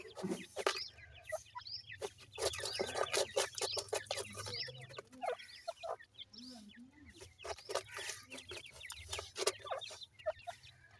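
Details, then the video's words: Several francolin (teetar) chicks peeping in quick, overlapping bursts of thin descending notes, mixed with frequent sharp clicks and rustling handling noise. "irani teetar chicks ki voice"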